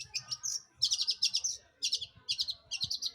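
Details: Long-tailed shrike singing to provoke other birds into song: high, rapid chattering trills in short bursts, some notes slurred into thin whistles, with pauses between bursts.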